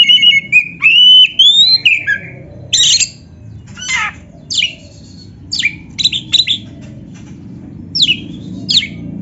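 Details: A white-rumped shama delivers a varied song used as a master for kept birds: opening clear rising whistles, then a rapid string of sharp downslurred chips and buzzy notes, about three to four per second, with a low background hum.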